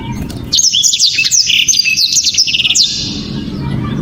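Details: A blacktrod sings one continuous phrase of about two and a half seconds, packed with quick high whistles, flicked notes and a brief rattling trill, loud, sharp and clear, over a low background hum.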